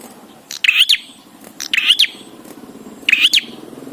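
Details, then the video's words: Bar-winged prinia singing lively, used to train birds to sing: three short, harsh chirping bursts with quick twittering notes, spaced about 1.3 seconds apart, over a low steady hum. "Prenjak Gacor"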